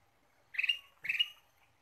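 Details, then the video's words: Two loud, scratchy chirps about half a second apart from a ruby-throated bulbul, played as a lure to attract birds, against an otherwise quiet background. "PIKAT KUTILANG EMAS GACOR"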